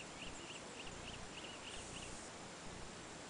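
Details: Coppery-chested jacamar (Galbula pastazae) in Ecuador, August 2010, call: a quick series of thin, high notes, about three per second, faint against a steady hiss of background noise.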